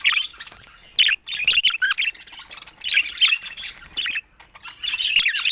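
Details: Pet budgerigars chirping joyfully: bursts of harsh, scratchy chattering and squawky notes, mostly high-pitched, coming in clusters about every second with short quiet gaps between.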